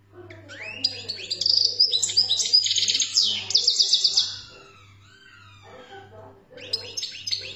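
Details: Algerian European goldfinch in full song: dense, high, tinkling twitters and buzzy trills packed into a long phrase, a pause, then a fresh burst of sharp chirps, with a faint low hum beneath.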